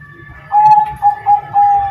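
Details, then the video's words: Bangkok zebra dove, an actively singing bird, gives four clear cooing notes of the terasan style: a longer opening note, then two short ones and a final drawn-out note, all on one pitch, with a low background hum. "Perkutut Bangkok Gacor Terasan Suara Syahdu"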